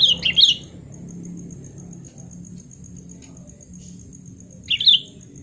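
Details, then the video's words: Sooty-headed bulbul singing, used as therapy for a bulbul that has stopped singing: two short, bubbly, chattering phrases about five seconds apart, with quiet low background hum between them. "KUTILANG GACOR SUARA ASLI ~ TERAPI KUTILANG MACET BUNYI"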